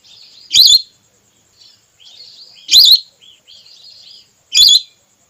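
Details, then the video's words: Red whistling duck, female voice used to lure wild ducks for hunting. Three sharp, wavy whistles come about two seconds apart, separated by quieter thin whistling notes. "Suara pikat burung belibis merah terbaru/suara betina"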